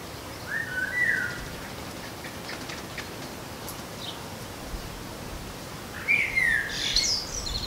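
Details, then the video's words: Common blackbird singing in a garden: a low, mellow fluted warble near the start, a long pause, then a higher, squeaky twittering flourish after about six seconds, over a steady background hiss. "Blackbird Song"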